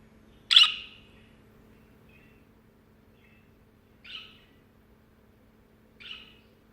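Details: Budgerigar sitting on a hand gives one piercing, rasping chirp, followed by two softer, shorter chirps spaced about two seconds apart. A faint steady hum sits underneath.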